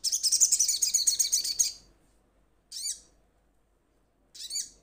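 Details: Crimson sunbird, a kept bird in good voice, calling to companions: a fast, high, sharp trill of nearly two seconds, then two separate single downslurred high notes spaced well apart.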